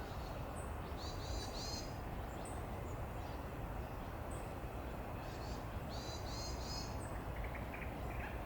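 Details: Mandarin duck recorded through a digiscoping setup on 23 February 2020: faint, high, thin stacked whistles in short paired bursts, repeated irregularly over a constant loud low rumble of background noise.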